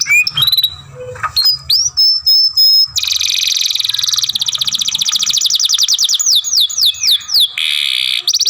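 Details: Young canary kept as a masteran singer delivers long grumbling phrases: scattered high sweeps and a held whistle, then a sustained rapid trill lasting several seconds, a few falling slurs and a buzzy close.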